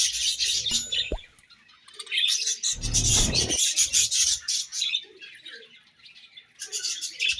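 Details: Budgies chattering continuously with bright, high, buzzy chirps and warbles. A short burst of broad rustling noise cuts in near the middle, then the steady flock chirping resumes.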